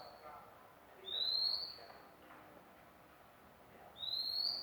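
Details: Two bright, upslurred whistles from a magpie-robin, spaced about three seconds apart, with faint indistinct background sound between them.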